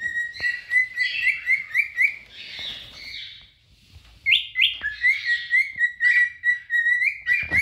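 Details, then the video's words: Courting pair of adult cinnamon cockatiels: rapid chirping whistles, a rougher noisy burst midway, a quiet gap, then the quick whistled chirps resume. "آواز خواندن دوتا عروس هلندی عاشق"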